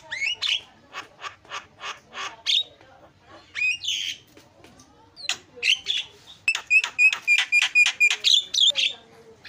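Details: Starling song meant to trigger chattering in silent starlings: evenly spaced short harsh notes, a squawky burst, then a quick train of sharp clicking notes with steady whistled tones running through.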